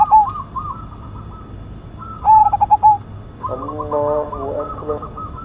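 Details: Zebra dove of the Cemani Majapahit type, praised as a loud-voiced singer: one strong burst of rapid pulsed coos, with softer cooing from other doves before and after it.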